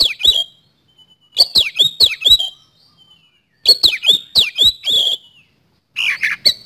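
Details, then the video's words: Vigorous Oriental magpie-robin song in the fast 'speed roll' style, meant to lure other birds into singing: short runs of four to five sharp, clicky, swooping whistles repeated about every two seconds, with thin whistles between runs. "Pancingan Kacer Gacor Nembak Speed Roll"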